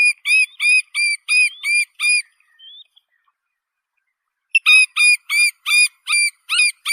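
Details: Little Grebe of reed-fringed wetlands calling in rapid runs of high, ringing harmonic notes, about three each second, with a pause of two seconds before the run resumes.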